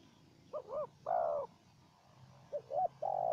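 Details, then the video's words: Wild spotted dove and a decoy dove in a calling duel. Two cooing phrases, each two short wavering notes and then a longer, fuller coo. A faint low hum runs underneath. "Pikat dan Terkukur Liar Adu Suara"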